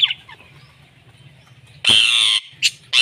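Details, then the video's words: Indian ringneck parakeet, a violet ringneck kept as a pet that is taught to say "Mitthu": after soft low background hum, three loud harsh screeches, the first about half a second long, the others shorter. "Ringneck Parrot Talking Mitthu Mitthu"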